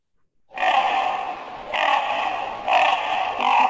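A Common Raven gives four deep, hoarse, grating croaks, each about a second long. They come one after another with no real pause between them.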